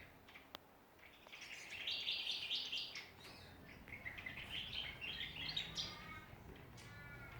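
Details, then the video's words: At Ballajura in Western Australia, backyard songbirds twitter in a rapid, uneven chatter of high chirps, with a single sharp click near the start and a few clearer whistled notes toward the end. "Australian songbirds in backyard."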